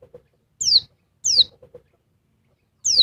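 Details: Noisy female oriental white-eye, Dakun Bali type, urging on a male: three bright, high, steeply falling notes about a second apart, with faint soft ticking between them.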